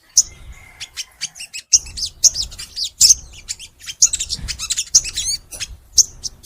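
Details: Crimson sunbird in long, energetic song for luring sunbirds into singing: piercing high notes roughly every second, each followed by quick twittering runs and short slurred whistles.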